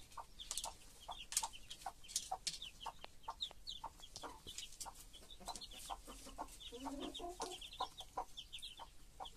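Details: Broody nurse hen with her chicks: dense, regular low clucks under constant high chick peeping, with a brief lower grumbling murmur partway through.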